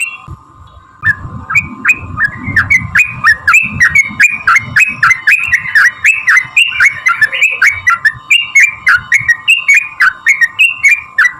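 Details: Sooty-headed bulbul delivering a long, rapid 'ropel' fighting song meant to provoke other bulbuls into singing. After a brief pause, chattering whistled phrases repeat almost four per second for ten seconds, over a steady hum and soft low rumble.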